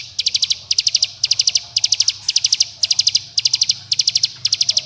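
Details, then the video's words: Bar-winged prinia 'bren' song, used to lure other birds of its kind into singing. High thin notes fired in rapid clusters of about six, clusters spaced roughly half a second apart, loud and regular against low background hum. "Pancingan Cigun Bren Rapat Agar Ciblek Gunung Muda Bahan Ikut Bunyi Gacor dan Ngebren"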